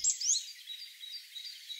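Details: A goldcrest, a year-round UK resident of woodland and gardens, gives a brief burst of very high, thin, needle-fine notes, followed by fainter high-pitched trills fading over under two seconds.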